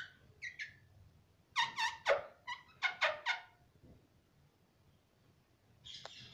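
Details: A pet green ring-necked (rose-ringed) parakeet imitates human words such as "mummy" in short, nasal, harmonic syllables, two quick bursts about a second apart with a few scratchy squeaks between.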